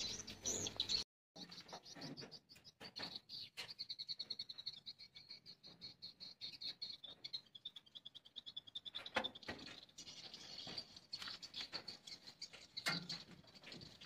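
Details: Swiftlets in a swiftlet house during the daytime chatter with a steady high, buzzy trill laced with rapid ticking clicks, many birds calling together and overlapping throughout.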